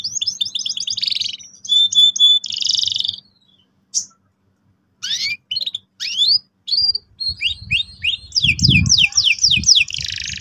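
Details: Canary trigger song for young canaries: rapid trills and steady tones, a pause with isolated chirps, then sweeping notes and a dense buzzy ending, over low knocking sounds.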